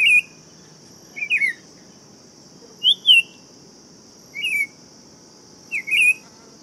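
Buff-throated Saltator giving short, sweet warbled phrases every second or two, with a steady high insect-like hiss behind.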